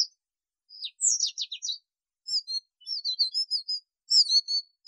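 A male canary sings fast, high twittering phrases: a burst of descending trills, then a run of rapid chirps and warbled notes after a short pause.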